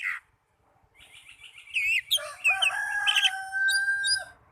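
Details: Oriental magpie-robin lure song for prompting caged birds to sing: a brief chirp, then a rising jumble of twittering notes leading into a sustained, nasal, crowing-like tone with sharp whistles over it.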